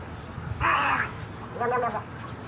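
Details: Snowy egret uttering two harsh, raspy squawks about a second apart, the first louder and broader, the second shorter and more nasal, with faint low rumble underneath.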